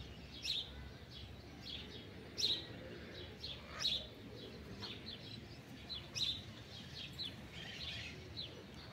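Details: Wild blue-winged macaws feeding in a pitanga tree, heard as distant, clipped, raspy squawks spaced irregularly about one to two seconds apart over a constant rural background hiss.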